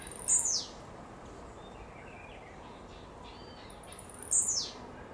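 A blue-black grassquit gives two short, very high buzzy notes that slur sharply downward, about four seconds apart, with faint chirps from other birds in between.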